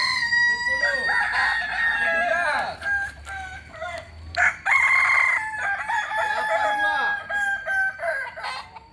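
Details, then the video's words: Purebred Kokok Balenggek rooster of Solok, West Sumatra, crowing repeatedly: phrases of quick stepped syllables separated by short gaps, the loudest starting around four and a half seconds. "Ayam kukuak balenggek asli solok sumbar"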